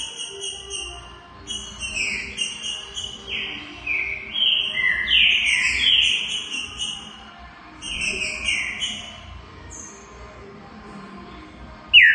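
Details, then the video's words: Green-winged saltator song in Brazil, partly overlaid by high twittering and chirping from other birds, with whistled descending slurs coming in bursts and a noisy background. "TRINCA FERRO BARUC CANTANDO MUITO #2"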